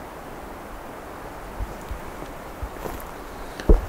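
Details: A low wind rumble runs throughout, with a few soft thumps and a louder knock near the end; no animal voices.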